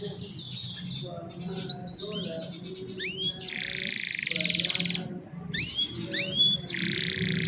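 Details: Singing young canaries used to coach other canaries, captured on a cellphone: varied phrases mix buzzy, rattling rolls with clean rising whistled slurs, over a steady low background hum.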